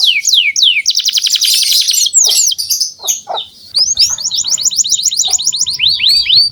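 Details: Canary song for young canaries to learn: loud falling whistles, a dense buzzy trill, scattered sharp notes, then a long run of quick looping whistled phrases.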